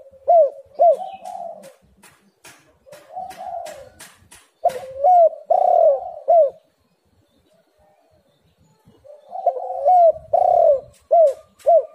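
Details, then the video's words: Spotted dove cooing meant to lure lazy birds into calling: two bouts of repeated hooked and drawn coo notes, loud and rhythmic, separated by a silent pause, with sharp clicks between phrases. "tekukur super gacor Suara HAS pancingan untuk burung yang malas bunyi"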